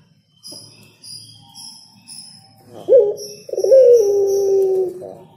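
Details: Spotted dove singing: after faint bell-like tinkling, a short low coo is followed by a long, steady, drawn-out hollow coo lasting about a second and a half.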